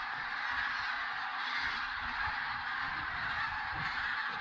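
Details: Sunrise on the Tister Bauernmoor in Germany, with plenty of water and fewer cranes than usual: a dense chorus of common cranes trumpets nonstop, a smooth wall of calling with faint low rumbles.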